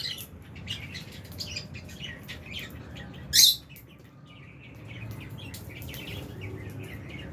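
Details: Lovebirds of albino and Fisher's types in a cage, with faint high chirps throughout and one brief loud shrill squeak, set against a steady low hum.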